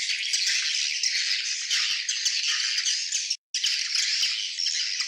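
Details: Swiftlet colony calling together, a steady, busy stream of high squeaky twitters and rattles, broken once by a brief silence.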